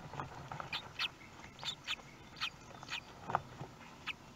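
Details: Common kestrel at a nest in Théding on 18 May 2021, the day the first chick hatched, filmed by a nest webcam; short sharp calls repeated about every half second, about eight in all, over a low steady background hum.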